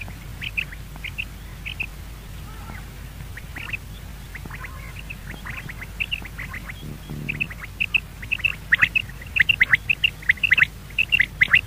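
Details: Common quail give short, sharp, liquid notes in quick clusters that grow denser and louder toward the end, over a steady low hum.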